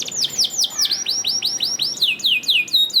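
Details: Canary singing a steady series of downward-swooping whistles, about four per second, then a higher, quicker run of swoops; a gacor recording for coaxing canaries to sing.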